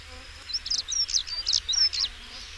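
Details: European stonechat giving a fast, jumbled phrase of high chirps, thin whistles and scratchy notes, about one and a half seconds long, against quiet background hiss.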